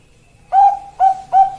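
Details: Perkutut of the Bangkok type, a zebra dove, utters three soft, steady coos, the first longest and the next two quicker and closer together, each with a slight breathy onset; little other sound.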